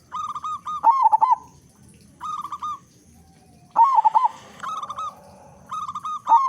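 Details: Lure song of a loud local zebra dove meant to spur other doves to sing: rhythmic cooing phrases with rapid stuttering openings and sustained level endings, repeated about every one and a half seconds, with some faint rustling.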